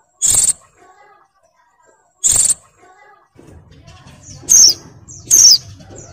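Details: Oriental white-eye female in breeding mood, calling to draw a male. Two loud noisy bursts come first, then two high, thin, falling whistled notes close together, with low rustling underneath.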